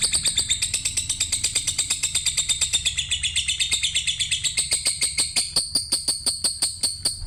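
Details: Lovebird chirping in a rapid, steady series of sharp high notes, about three per second, with a bright twittering band running above them throughout and a low hum underneath.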